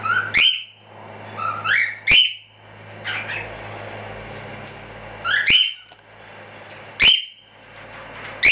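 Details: Standard cockatiels from a small hobby breeding of show birds give sharp, upward-sweeping whistled chirps, singly or in quick pairs, every one to two seconds, over a faint low hum.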